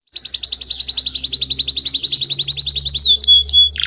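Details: Belgian canary singing a long rapid series of bright trilled notes around 4 to 5k, each note repeated many times per second, ending in short upward whistles and a steady whistled note; faint low hum beneath.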